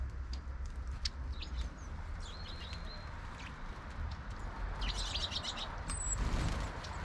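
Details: A small winter flock of long-tailed tits on 31 December 2022, including one short-tailed bird, gives thin, high, lisping calls and brief buzzy trills in scattered bursts over a steady low rumble.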